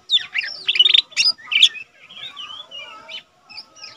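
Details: Caged lesser green leafbird, not yet trained, singing actively as tutor material. A dense burst of rapid chirps and sharp notes is followed by softer warbled whistles, rising and falling.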